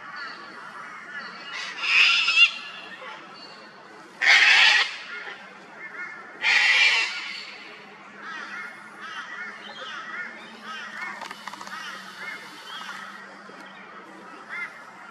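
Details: Sulphur-crested cockatoo, an Australian native bird, at an old dead tree where it feeds on honey and chews bark; three loud, harsh, raspy screeches about two seconds apart, with twittering bird chatter throughout.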